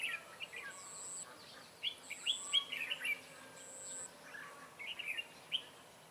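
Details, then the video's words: Red-whiskered bulbul of the 'Má trắng' type, trapping on 23 June 2018: lively clusters of warbled chirps and slurred notes, repeated rapidly, while a very high, thin sustained tone sounds three times in the background. "Bẫy chào mào Má trắng xòe xoẹt cúp cầu"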